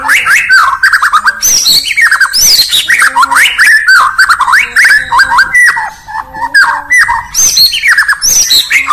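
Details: Morning song of a White-rumped shama (Murai Batu), Indonesia: loud, continuous, fast-changing warbles, with sweeping whistles and sharp chirps alongside faint low repeated notes.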